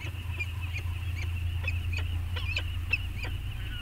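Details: Peregrine falcons at Anacapa, back on site and bonding, on 14 August 2021, caught by a nest camera: sparse, harsh, clipped calls repeated at an uneven pace over a constant low rumble of wind or surf.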